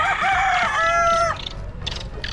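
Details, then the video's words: A rooster in a village side street in the Philippines, 2023, one of many that crow in the mornings, gives one loud, drawn-out crow lasting just over a second, strained and harmonic-rich; faint village noise follows. "Very humble here guys. Look, we've got the cocks here singing away."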